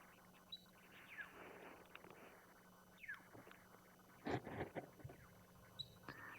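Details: A juvenile little grebe (Tachybaptus ruficollis), still with chick-like head markings, at Ngala Private Game Reserve, South Africa, during a morning drive on 29 April 2020, contact calling with no others visible: thin, high, downslurred peeps at irregular intervals over a low hum.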